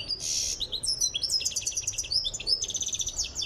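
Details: European goldfinch of the Tiaret type, being trained for singing and nearing readiness, delivers a dense, rapid twittering song of high, tinkling notes and buzzy trills, opening with a harsh burst, continuous throughout.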